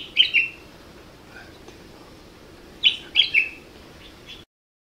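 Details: Common bulbul producing two short bursts of two or three sharp, chirpy whistled notes, separated by over two seconds of quiet background.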